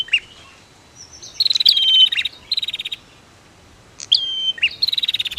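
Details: Male and female prinia calls meant to provoke other birds to sing: long buzzy rattling trills alternate with high whistles that slide down, ending in a rapid ticking series.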